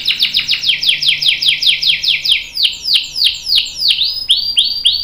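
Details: Canary song with a long roll, meant to get other canaries singing: fast falling sweeps that gradually slow and broaden into looping arched whistles, about two to three per second.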